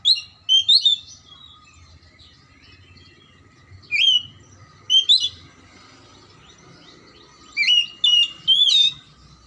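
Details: Oriental magpie-robin singing, used to encourage a sluggish bird to sing: short bursts of bright chirped and whistled phrases spaced irregularly, with pauses of a few seconds, over a faint steady hum.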